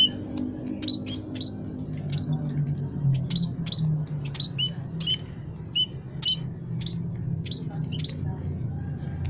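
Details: Aviary munias (kaji, peking, Javan) calling as a lure for trapping birds: high short chirps and thin tweets, regularly spaced about twice per second, over steady low hum.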